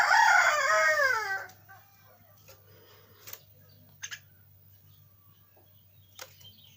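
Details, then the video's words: Young caged pet Javan myna giving a loud, harsh, rasping call with layered overtones for about one and a half seconds, then falling quiet apart from a few faint clicks and taps over a low steady hum. "Suara Anak Burung jalak kebo"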